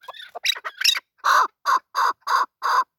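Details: Male chakor (chukar partridge) in desi local form: a jumble of short squeaky notes opens, then five loud, even, throaty chuk notes follow about every quarter second.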